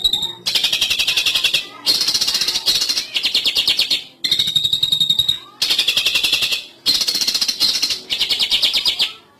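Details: Lure recording of a long-tailed shrike used for trapping: rapid, harsh, machine-like rattling bursts, each about a second long, separated by short silences and repeated steadily.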